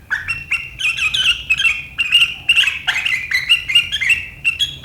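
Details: Sooty-headed bulbul (kutilang) delivering sharp gacor riwikan chattering that draws rivals to sing, 7 April 2023: rapid, continuous scratchy chirps and whistled notes in quick bursts, steady throughout.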